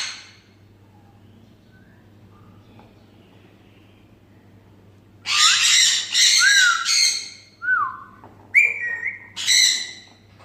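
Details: Grey parrot pair at home: after a quiet stretch, a run of rough squawks, then clear whistles sliding downward in pitch, mixed with further harsh screeches near the end, with a faint steady hum behind.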